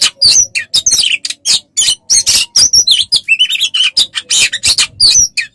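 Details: Tutor recording of Oriental magpie-robin for training songbirds: continuous loud, varied chattering song of harsh buzzy bursts mixed with short sharp whistles, densely packed with only brief gaps.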